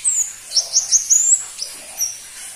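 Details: Crimson-breasted flowerpecker, locally pentis pelangi, a bird seldom kept by hobbyists: a high thin down-slurred note, then a quick string of sharp piercing chips and a drawn-out whistle, ending with one isolated high tick.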